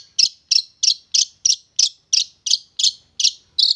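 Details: Tamed young wild long-tailed shrike, kept about three months, calling steadily: a run of about eleven identical harsh, chattering high notes spaced roughly every third of a second in an even, insistent rhythm.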